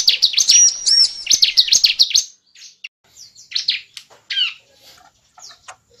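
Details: Bar-winged prinia (ciblek) calls played as a lure for trapping birds: a dense burst of high, rapid, buzzy chattering notes for about two seconds, then scattered shorter sharp chirps and trills with quiet gaps between.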